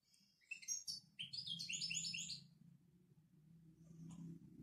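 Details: Moroccan goldfinch performing a "babtaba" phrase: a few sharp opening chirps, then a rapid run of rippling, rising-and-falling twittered notes, with a steady low background hum throughout.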